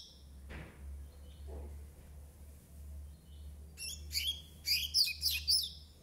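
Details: A 9-month-old Double-collared seedeater in brown plumage sings a fast, bright twittering phrase of high chirps and trills in the last two seconds, after a few faint notes, over a low steady hum.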